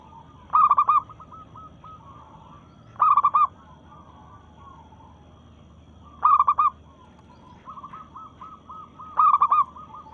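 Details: Zebra dove of a local strain in breeding condition, calling to challenge rivals: four loud stuttering coo phrases spaced about three seconds apart, fainter rolling coos from other doves between them.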